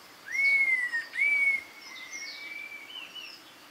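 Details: Red-tailed laughingthrush with two long, pure whistles, each rising quickly and then levelling off before a slight fall, followed by fainter drawn-out whistling in a quiet natural setting.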